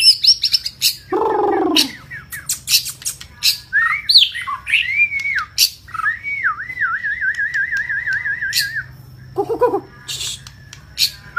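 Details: White-rumped shama of the long-tailed type from Vietnam, singing insistently: sharp clicks, a rasping downward note, bright slurred whistles, then a long wavering warbled trill, followed by a brief harsh burst.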